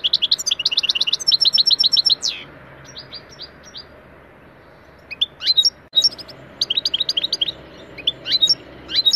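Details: Recorded European goldfinch in a lesson song, Taneli Çipet Bol Cibili style: an opening burst of rapid trills and a downward slur, quiet gap, then scattered sharp twitters.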